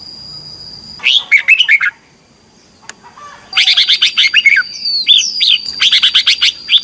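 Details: Red-whiskered bulbul in competitive morning singing in the 'ché' style, recorded as a lure to train birds: two bursts of rapid, bright chattering notes dropping and rising, the second long and dense, over a steady high whine.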